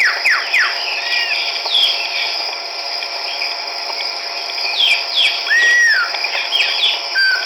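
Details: Chestnut-backed laughingthrush (Pterorhinus nuchalis), recorded 17 March 2010 at Hukaung Valley Wildlife Sanctuary, Kachin State, Myanmar. It gives clear whistled notes, some sliding down and some rising, in uneven bursts over a steady high insect drone.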